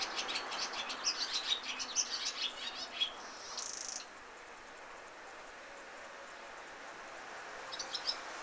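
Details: A Barn Swallow (Hirundo rustica) sings a rapid run of high, twittering chirps and squeaky notes for about four seconds, then falls quiet; a few faint chirps return near the end.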